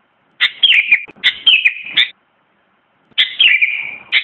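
Sooty-headed bulbul giving bright, bubbly whistled phrases that slur downward, in two bursts about a second and a half long, separated by a brief pause.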